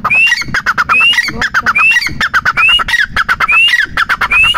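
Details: Teetar partridge calling in fast succession, rising whistled notes alternating with dense bursts of sharp chattering clicks, about six phrases in under five seconds.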